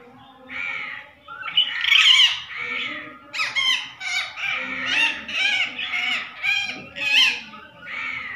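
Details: Talking parrot giving a run of loud, harsh, strongly harmonic squawks and chattering phrases, several bursts close together with short pauses, each rising and falling; no other clear sounds.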